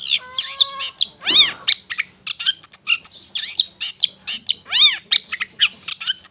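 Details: Long-tailed shrike singing ngetet song, used as a lure to stimulate stressed or silent kept shrikes; rapid run of sharp chips and buzzy notes mixed with repeated arching, rising-falling whistles.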